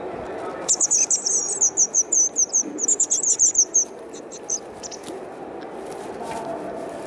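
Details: White wagtail nestlings near fledging, recorded 3 June 2019 at Kumiyama, Kyoto Prefecture, Japan, during parental feeding: a burst of very high, thin chips in quick succession for about three seconds, then a few scattered notes and quiet.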